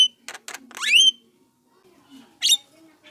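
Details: Young Javan myna calling as a lure for other mynas: two quick rasping notes lead into a loud, drawn-out rising whistle with harsh overtones, then a pause and one short shrill burst.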